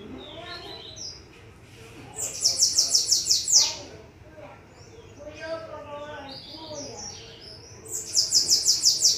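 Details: Several bananaquits singing: two bursts of about eight rapid, shrill, buzzy high notes each, with softer lower twittering and chirps in between.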